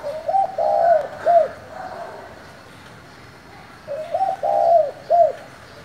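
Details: Spotted dove calling to provoke other doves: a short phrase of soft, low coos, two quick notes, a longer drawn coo and a final short note, repeated twice about four seconds apart over faint background hiss.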